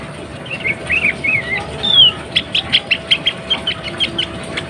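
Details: Sooty-headed bulbul female in breeding condition, calling so that males start singing: wavering, looping warbled phrases, then a rapid string of about a dozen short, evenly spaced chips, with a low hum behind.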